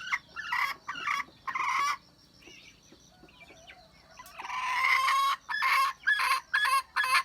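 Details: A wild red junglefowl hen, 27 January 2015. Several rasping bursts are followed by a quieter stretch with faint tonal calls, then one long harsh note and a fast run of short, loud bursts.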